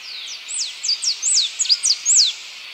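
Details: Blue-and-yellow tanager (Pipraeidea bonariensis) song: a rapid run of thin, high-pitched falling whistles, roughly nine notes with brief gaps, set against a constant hissing background.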